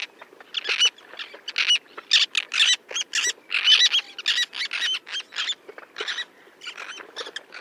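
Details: Small flock of Roseate terns diving for fish off the coast at Hauxley, Northumberland, in July 2012: harsh, rasping calls in rapid overlapping bursts, several per second, from multiple birds, with no other clear sounds.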